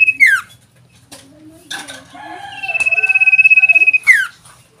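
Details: Tame caged sooty-headed bulbul in full song; a falling whistled note, scattered soft notes, then a long level buzzy trill ending in another steep downward whistle.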